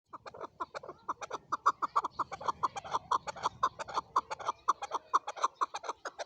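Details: Male chukar calling: a long run of rapid, clucking chuk notes, roughly four a second, each a short mid-pitched burst, loudness rising and falling unevenly through the series.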